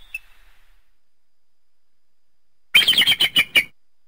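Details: Eagle calling: a brief burst of five or six high, sharp chittering notes in quick succession after a long silence, with a faint short note at the start.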